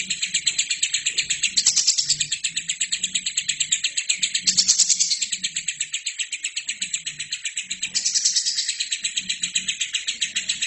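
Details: Lovebird in full continuous song, recorded as training material for other birds. Fast, steady high chirps pulse without a break, swelling louder in short bursts roughly every three seconds. A soft low hum sits beneath.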